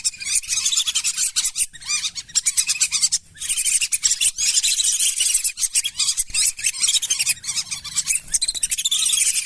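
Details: Whistling chatter of lesser whistling ducks, played as a lure for wild ducks over paddies and marshes: many shrill whistles crowd together in a steady stream, pausing briefly around three seconds before the chorus resumes.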